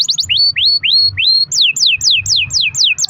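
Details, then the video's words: Canary singing steadily as a lure for other canaries: rising whistled slurs repeated about four times a second, switching to sharply falling sweeps at the same quick pace, over a faint low hum. "kenari gacor ROL PANJANG buat pancingan kenari agar bunyi"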